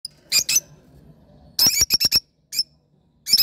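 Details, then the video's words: Lovebirds calling: sharp, harsh squawks and chirps in short bursts, one quick run of four rapid chips, separated by silent gaps. "love birds sound"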